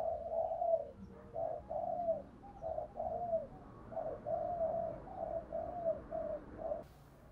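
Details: Female spotted dove cooing, meant to make caged male doves start calling: a long run of soft, hollow coos, each dipping slightly, repeated roughly twice per second over a steady hiss of background noise.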